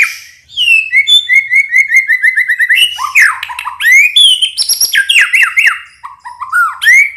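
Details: Lively White-rumped shama song for provoking males, starting with a series of repeated, quick, upslurred whistles, then a dense run of varied, sliding, high-pitched phrases with sharp chips throughout.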